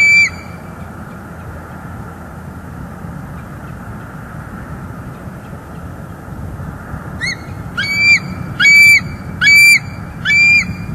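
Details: Bald eagle pair at a northeast Florida nest, December 2021, live nest camera, female vocalizing as the male delivers sticks: after seven seconds of background hum, a quick series of high, thin squeals repeats about once per second.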